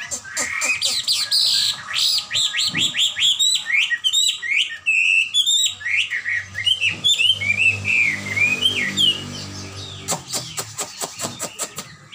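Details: Hwamei singing energetically: a long, rich flow of loud whistled notes, sharp upslurs and downslurs repeated rapidly, shifting phrases, ending in a series of dry clicking sounds, with a low hum in the background.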